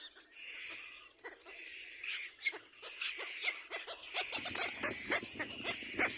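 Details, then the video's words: Baby little black cormorants compete for food, giving rapid, rasping begging calls that grow denser and louder after a few seconds, overlapping in quick bursts. "Little black cormorant baby birds compete for food"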